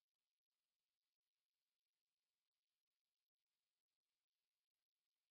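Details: Near-total silence, only an extremely faint digital hiss with occasional dropouts.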